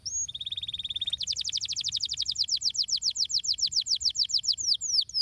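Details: Stimulating canary song meant to prompt other canaries to sing: an opening high whistle, a level rapid trill, then a long run of quick, bright repeated chirps at a steady pace.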